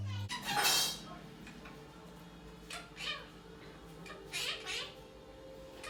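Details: A pet Quaker (monk) parakeet aged 1 year 6 months gives a few harsh, meow-like squawks and chattering noises over a steady household hum.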